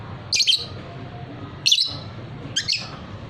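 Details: Three shrill, slightly doubled squawk bursts from a fighter lovebird arrive at uneven intervals of about a second and a quarter, set against a low indoor hum.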